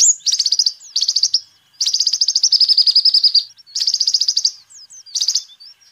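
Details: Sunbird in full song, a recording meant as a lure and song tutor for birds: rapid high buzzy trills, one drawn out for nearly two seconds, between thin curling whistles and sharp chips.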